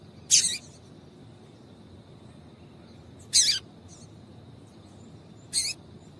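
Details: Female Double-collared seedeater calling to prompt males to sing. Three raspy, high, buzzy chips, each about three seconds apart, the last softer, with a faint fainter note after the second and a steady hum.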